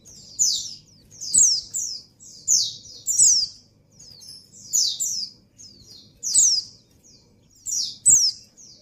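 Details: Female white-eye in breeding condition calling to the male: high, thin descending chirps repeated in short bursts about every second, with faint low hum and occasional clicks beneath.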